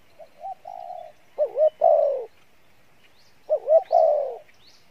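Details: Spotted dove with a good voice cooing in the Pha Bài Lối style. Low hollow notes, a held coo, then two wavering-and-falling phrases. Faint high chirps from small birds in the background.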